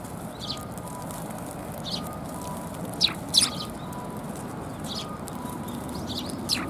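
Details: Several Eurasian tree sparrows come to a Tenmangu shrine to be fed on 10 January 2022, giving short, high, sharp chirps in a quick cluster near the middle, with scattered fainter chirps and steady outdoor background noise.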